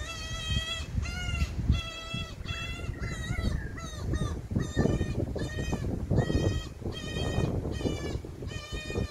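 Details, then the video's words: Common cuckoo chick, a brood parasite, screaming to beg food from its magpie foster parent: loud harmonic screeches repeated about twice a second in steady bursts, over low rumbling background noise. "cuckoo bird parasite screaming for magpie mama's feeding"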